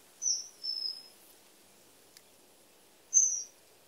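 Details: Common kingfisher song: three thin, high, piercing whistles, the first two close together and falling slightly, then a pause of about two seconds before a third sharp whistle, over a quiet background.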